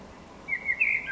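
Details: Eurasian blackbird (Turdus merula), described as the best singer on the block, opening with a short low fluted phrase that wavers and then slides up at the end.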